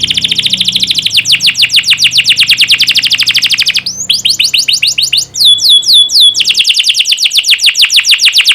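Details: Training song of a canary meant to make young canaries sing prolifically: long rapid high trills, a brief stretch of sharp downslurred whistles, then the fast trill resumes; a low hum underlies the first part.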